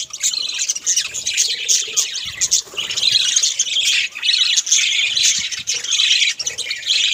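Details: A group of pet budgerigars at home keeps up a loud, continuous warbling chatter of squeaky chirps and harsh squawks, rising and falling in intensity.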